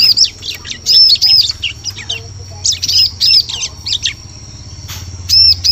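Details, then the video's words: Bar-winged prinia lure sound intended for forest trapping: high arched whistles mixed with rapid thin chips in uneven bursts, a quieter lull, then a final arched whistle. "Suara Pikat Burung Ciblek Cocok Untuk Memikat Di Hutan"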